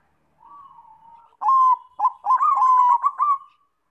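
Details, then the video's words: Bangkok-type zebra dove singing as a lure to set other doves singing. A faint drawn-out coo leads into louder clipped notes and then a quick rhythmic burst of bubbling, slightly rising coos that fades out at the end. "PANCINGAN BUNYI PERKUTUT BANGKOK"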